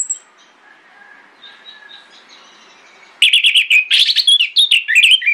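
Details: Orange-headed thrush in the morning, singing a lure song to prompt other thrushes to answer. Three quiet seconds with faint distant notes, then a sudden dense stream of rapid, varied, sharp whistles and twitters.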